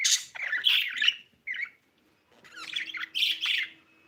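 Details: Budgerigar, reportedly laying eggs, giving scratchy chattering chirps in short bursts with pauses between, plus a faint low hum in the room.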